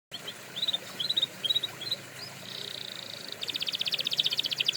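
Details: Canary song for training canaries: soft chirped notes in short clusters, then a flat buzzy roll and a fast, even pulsed trill, high-pitched over faint background hiss.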